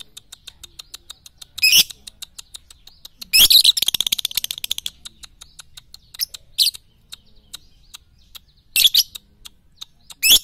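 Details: Lovebird tutoring sound for morning, noon and night play: a long rattling burst of rapid harsh chirps near the middle, then scattered short shrill screeches, all over a fast, faint ticking chatter.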